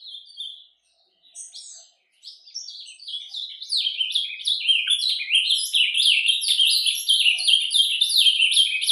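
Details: Ultramarine grosbeak's soft surdina song in nature, starting with scattered faint notes and gaps, then building into a sustained rapid warble of sliding high whistles.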